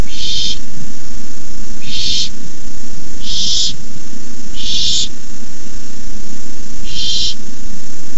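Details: Barn owl owlets in the nest hissing at night, 9:57 pm, as an adult delivers a rabbit: harsh breathy hisses about half a second long, five in eight seconds, over constant loud low rumbling noise.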